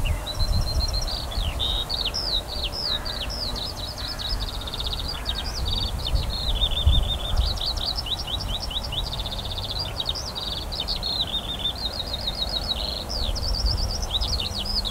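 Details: Summer skylark song above barley, 28 June 2018: a long, sustained high stream of rapid repeated trills, chirps and brief level whistles without pause, backed by gusty low wind.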